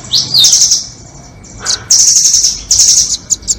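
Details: Nuthatch calls recorded as a trapping lure, doraemon versus red-billed: a quick rising squeak and dense high buzzing trill, a short lower note after a gap, then sustained sizzling trills and scattered ticks.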